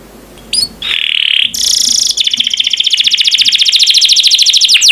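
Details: Champion canary song used as training material: a couple of short high chips, a steady buzzy tone, a harsh bright buzz, then a long fast rolling trill of pulsed notes ending in a downward sweep.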